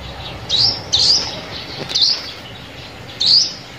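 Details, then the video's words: Sunbird lure sound for bird trapping: four loud, brief, upslurred whistles, the first two close together, then a pause before the last, over faint hiss. "Tiếng Chim Hút Mật Mồi Kích Bổi"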